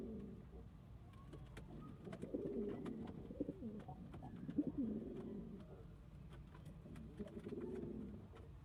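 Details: Domestic pigeons cooing steadily, low burbling phrases swelling and repeating every couple of seconds, punctuated by sharp wing or foot clicks against a quiet indoor background.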